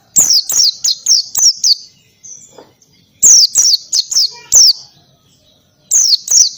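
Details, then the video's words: Ngalas-style song of an oriental white-eye with canary-like shots. Rapid runs of high, downward-slurred whistles come in bursts of five or six notes separated by brief gaps. "PLECI NGALAS,TEMBAKAN KENARI SUPER RIBUT"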